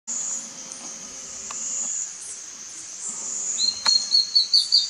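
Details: A female plain antvireo at Altos del Maria, Panama, 10/5/2019, gives a quick run of high, chipping notes near the end, over a steady, high insect drone.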